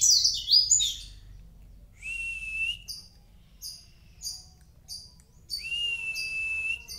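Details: High twittering opens, then sustained thin whistles alternate with short sharp chirps and pauses, from a mountain white-eye of Kintamani singing 'gacor'.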